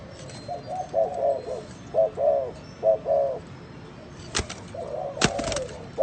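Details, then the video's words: Spotted dove with an unusual cooing style: repeated groups of low wavering coos, three phrases in the first three seconds, then another after two loud sharp clacks. Light background hiss throughout. "Top 10 tiếng chim cu gáy gù độc lạ mới hay nhất 2020"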